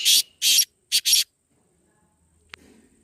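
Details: Black francolin calling, used to call in the bird or stir a kept francolin to answer. One loud phrase of four rasping broadband notes, long-long-short-long, within about 1.2 seconds. Then quiet with a single faint click.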